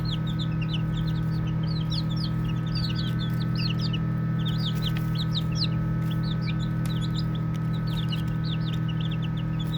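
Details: Baby chickens chirping during play: tight groups of high, descending peeps repeat every second or two, several birds overlapping, over a continuous low hum.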